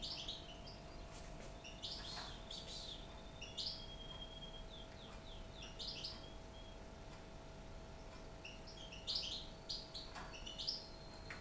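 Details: A 20-day-old baby European goldfinch, being hand-fed from a finger at the start of taming, gives short, high, thin chirps in scattered bursts over a steady indoor hum.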